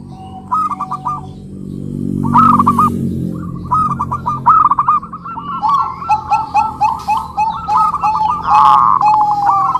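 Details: Zebra dove song: repeated fast rippling coo phrases, a second lower steady cooing voice overlapping, and a low hum behind; scattered high chirps from other small birds.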